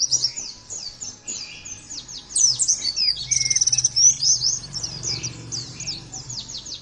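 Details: High-pitched, hurried chatter of an Oriental white-eye in 'nembak' style, meant for other birds to imitate. A fast trill of identical notes mid-clip is followed by sharp slurred chips and a few lower whistled notes.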